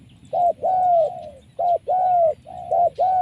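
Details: Spotted dove caught wild by trapping, voice described as very good and strong: three short-then-long coo pairs, each a brief clipped note followed by an extended smooth coo, spaced under a second apart, over low rumble.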